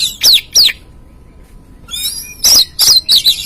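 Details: Oriental magpie-robin used as a lure to make a caged bird sing: two sharp descending chirps, a short quiet gap, then a series of buzzy high notes.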